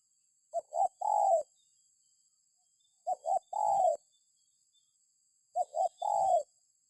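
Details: Spotted dove call used as a lure so other birds answer. Three mellow phrases, each two quick notes followed by a longer drawn-out falling coo, repeated about every two and a half seconds over silence.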